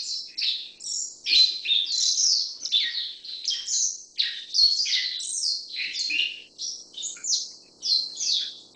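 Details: Long, lively chatter from a black-faced bunting: many high chirps and short buzzy phrases following closely one after another, varying in pitch, with occasional faint low taps.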